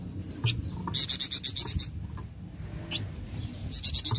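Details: Flameback, recorded as training material to which a bird answers at once: a rapid rattling series of about eight piercing high notes, a pause with soft chirps, then the rattle starting again at the end.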